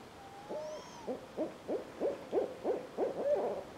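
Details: Barred owl (Strix varia) in the Alberta wilderness gives a quick run of about eight deep, slurred hoots, each bending up and down, ending in a drawn-out note; nothing else is heard.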